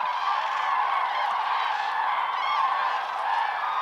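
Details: Large gathering of common cranes calling at first light at Lake Hornborga, a steady roar of overlapping rolling trumpet calls from countless birds, with no gaps.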